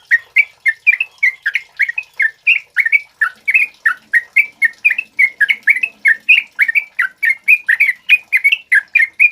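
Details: Energetic song of a male sooty-headed bulbul, meant as a model for training other birds: a continuous chatter of clear, slurred whistled notes, closely packed and varied in pitch, with a faint low murmur behind.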